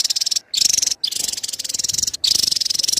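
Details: Javan tesia chattering song (cerecetan): a continuous, rapid, high buzzy trill with two brief pauses, pulses packed closely together.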